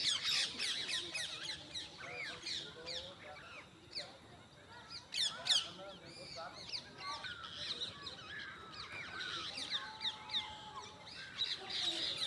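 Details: Busy parrot chatter: rapid, high scratchy notes and brief squawks layered over one another, loud at first, fading in the middle, then building again.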